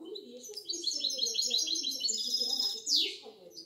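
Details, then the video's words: Young goldfinch × canary hybrid, six months old, delivering rapid high chattering trills that close with a downward-sweeping note, while a murmur of lower sounds runs underneath. "غناء طائر ميستو سته اشهر(6)Me mixto de jilguero"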